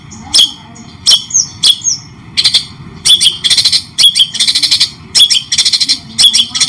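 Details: Training song of a White-rumped shama, paired with cendet (long-tailed shrike), clear with pauses: harsh high chips and short downslurred whistles in bursts, then rapid buzzy rattling strings after three seconds.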